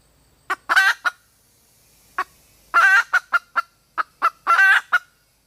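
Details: Red junglefowl hen calling to attract a mate, giving repeated rough cackling bursts, each a loud grating phrase followed by short clipped notes, about every second or two, in a quiet setting.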